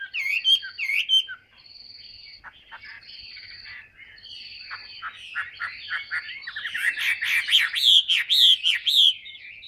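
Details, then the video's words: Tame, large-bodied Chinese hwamei that sings a great deal, giving a rich, varied song of loud whistled phrases, slurred rising and falling notes and rapid trills, with sustained high piercing tones early on that build to a dense, energetic finish. "HM 269 bộ to thuần đét hót rất nhiều"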